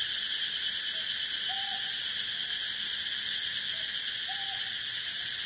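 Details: Northern boobook (Ninox japonica totogo) foraging and preening, giving faint paired hoots, a brief low note then a longer drawn one, twice in a few seconds, almost drowned by a constant shrill buzzing drone.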